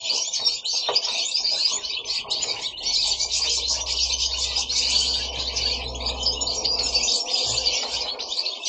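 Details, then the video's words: Several pet goldfinches singing together indoors at home: a dense, continuous chorus of high twittering, tinkling notes and short buzzy trills, with a low steady hum underneath in the middle part. "Goldfinches singing at home"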